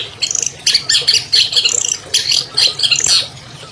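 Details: Captive albino long-tailed shrike singing a full, clear song meant to coax silent shrikes into voice: dense, scratchy chattering bursts and raspy squawks, tumbling quickly over almost four seconds.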